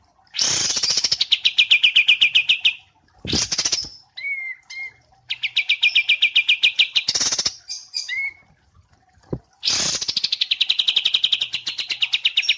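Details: White-eye, wambi mini, in a training recording paired with kapas tembak: long, fast, dense chattering trills, with short upslurred notes between bursts and brief pauses.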